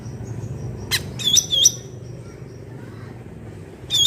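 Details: Bulbul (cucak ranting) in the wild, a sharp click-like note then two quick high whistled notes, a long quiet gap with faint distant tones, and another note at the end.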